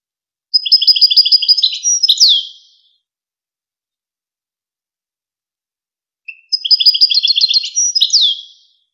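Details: Two near-identical goldfinch strophes from the Wakr Touzgha training tape for young birds and hybrids, each about two seconds of quick liquid chirps and buzzes closing with a falling note, spaced by roughly four seconds of quiet.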